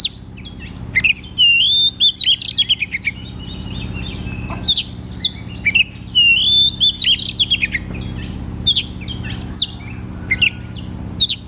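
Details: White-rumped shama singing continuously as a lure for a shama that sings little: dense repeated bursts of whistles, sharp chips and downslurred notes, phrases returning every few seconds, constant low hum underneath.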